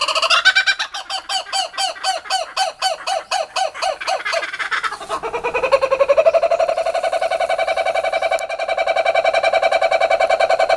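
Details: Laughing kookaburra giving a rapid series of loud, clipped, cackling notes that break off, then resume as a long, smooth, rolling trill held at an even pitch.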